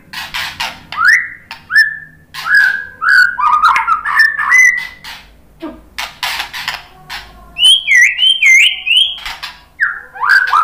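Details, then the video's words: White-rumped shama in Indonesia singing a provoking song so other birds will respond: rapid, varied run of rising whistles and upward-sweeping notes mixed with clicks, ending in looping high warbled phrases. "SUARA KICAUAN MURAI BATU bikin NYAUT jadi GACOR NGEPLONG ¦ PANCINGAN MURAI BONGKAR MATERI"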